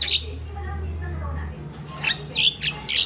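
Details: Pet crested myna kept at home in the Philippines, described as a mimic bird: a few short, bright chirps and squawky notes around the two-to-three second mark, after a low steady hum; faint household noise behind.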